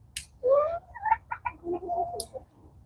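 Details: A chicken keeping a person company in a pepper garden one morning, giving a short run of clucks: a rising drawn-out note, then quick clipped clucks and lower murmuring notes, with faint rustling behind.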